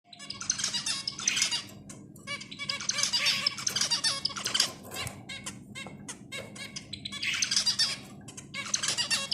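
Zebra finches chatter in nasal, buzzy notes and rapid high squeaks, coming in bursts every few seconds.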